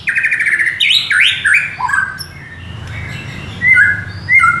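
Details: Oriental magpie-robin, a kept songbird, singing as a stimulus for other captive birds: a buzzy rattle followed by rising and falling whistled slurs, a quieter pause, then bright sharp whistled notes.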